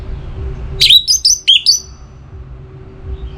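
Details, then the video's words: Orange-headed thrush in breeding condition, calling a rival in northern Bali near Singaraja: a single burst of clear, slurred whistled notes, five quick phrases sliding around high pitch, then quiet with a faint low hum. "Akhirnya Bunyi Juga ANIS MERAH Gacor Pancingan Birahi & EMosi Burung || Kicau memanggil lawan"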